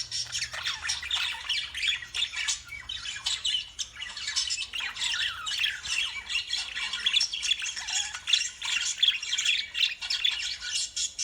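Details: Many lovebird voices forming a steady wall of harsh, high-pitched chattering, with screechy squawks and brief piercing whistles rising out of the mix, constant for the whole stretch.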